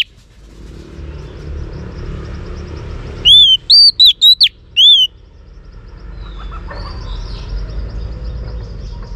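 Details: Female Oriental magpie-robin song meant to stimulate males: a single brief burst of about six pure, arched whistles in the middle, with faint murmuring background before and after.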